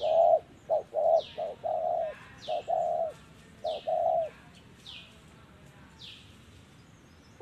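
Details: Spotted dove coo in the 'thổ' voice style, recorded while trapping with a decoy. A quick series of short and longer hollow hoots fills the first four seconds, then quiet. Distant birds give repeated high down-slurred whistles.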